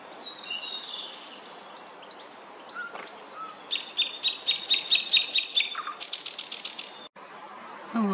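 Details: Thrush nightingale singing loudly in a city centre on 25 May. Scattered whistled and chirped notes give way to a fast, rhythmic series of sharp repeated clicks and high notes, followed by a brief rising whistle.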